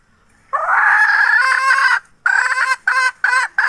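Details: Hen recorded in 2021, giving a loud harsh drawn-out squawk lasting about one and a half seconds, then three short clipped repeats after brief pauses, on a quiet background.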